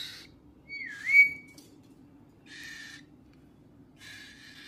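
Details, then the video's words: Whistles from a pet parrot, including a clear, dipping-then-rising whistled note, followed by two longer, harsher, buzzy whistled bursts, with quiet pauses between and a low background hum. "Parrot whistle sound"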